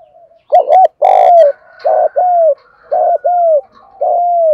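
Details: Loud cooing from a decoy spotted dove meant to attract wild doves. A stuttering double note opens, followed by repeated pairs of clipped and longer descending coos.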